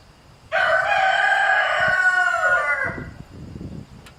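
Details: Domestic chicken flock with a rooster harassing a mother hen and chicks at drinking time; one loud, sustained crow of roughly two and a half seconds, ending in softer scuffling sounds.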